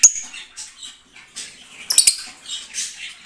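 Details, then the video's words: Green lovebirds in a breeding setup: an opening sharp squeak, then soft scratchy twitters, then a cluster of loud shrill squeaks and rasping chatter in the second half. "Green Birds Cute Singing & Sound Birds"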